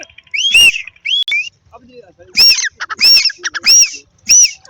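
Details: Grey francolin pair calling in a field in Pakistan during the breeding season, female heard: loud, ringing, arched notes, some harsh and buzzy, repeated in quick bursts about every half second to second, with brief softer chatter between.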